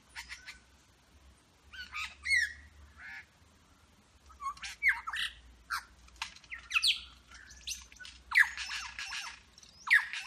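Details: Wild superb lyrebird, Berowra Valley National Park, mimicking eastern whipbird, red wattlebird, rainbow lorikeet, grey butcherbird and pied currawong; harsh squawks, sharp whip-like downslurs and rapid chattering bursts follow one another irregularly, with a low hum beneath.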